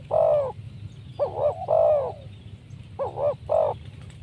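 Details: Spotted dove calling, its voice used to lure wild doves: loud slurred coos alternating with quick doubled bouncing notes, several phrases in about four seconds, a low constant hum underneath.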